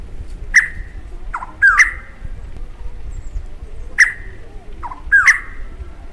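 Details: A Rusty-cheeked Scimitar Babbler pair in Kumaon duets during breeding, male and female singing separate parts: clear ringing whistles answered by lower falling notes, twice over a few seconds, against low rumble.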